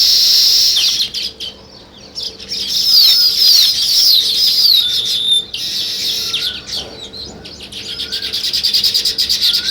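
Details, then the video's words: Natural sparrow sound: a busy chatter of high, sharp chirps and twittering notes, loud and fast, dipping briefly around the second and sixth seconds before swelling again into dense, rapidly repeated chirping. "Sparrow Chirping"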